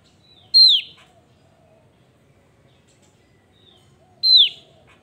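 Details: Active singing from a Javan grey-throated white-eye: two loud, pure whistles curving sharply down in pitch, spaced nearly four seconds apart, over near silence.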